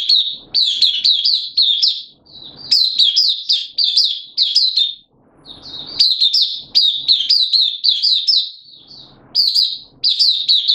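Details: Oriental white-eye (Mata Puteh), a kept hobby bird, in full song on 8 September 2022: long runs of rapid, high twittering notes, delivered in bursts of about two seconds with brief gaps.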